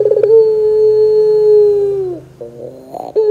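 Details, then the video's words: Puter pelung (Barbary dove) calling, recorded as a lure to get young doves to sing: a brief pulsed stutter opens a long, even, low coo that sags at the end, then soft rough murmurs and a fresh chuckle. "PANCINGAN PUTER GACOR 100% JOSS TERBAIK 2024, PUTER BAHAN BAKALAN PASTI CEPAT NYAUT BUNYI !!!"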